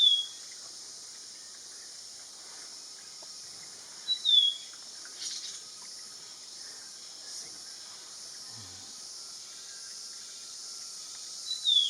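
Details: Black-capped babbler in Nakhon Si Thammarat province, southern Thailand, at a spot where birds come down to bathe and drink. Short, sharp, downslurred whistles come at the start, near four seconds and at the end, over a loud, steady insect drone.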